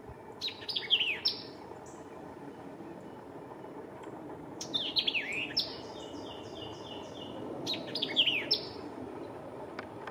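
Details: White-eyed vireo recorded in McDonough, Georgia, in May 2023, repeating a fast, emphatic song of sharp chips and slurred falling whistles in three separate bursts, with a buzzy stepped phrase between, over quiet outdoor background.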